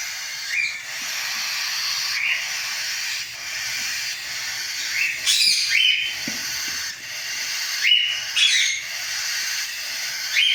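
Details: Cockatiel chicks crying: raspy, rising squeaks repeated irregularly every one to two seconds, some doubled, over a constant loud hiss.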